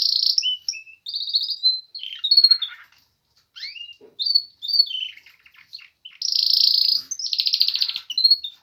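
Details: A canary starting its spring singing with varied whistled phrases, rising and falling slurs and chirps broken by brief pauses, and a loud rattling trill near the end.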